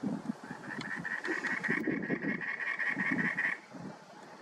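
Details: Cactus wren at Saguaro National Park, a steady run of harsh, rapid, evenly repeated notes lasting about three and a half seconds, over low rumbling background noise.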